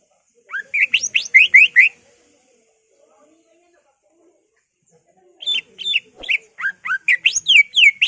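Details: Greater green leafbird lure song rich in borrowed phrases, aimed at exciting rival leafbirds: a quick series of rising whistles, a pause, then a longer run of repeated down-slurred whistled notes.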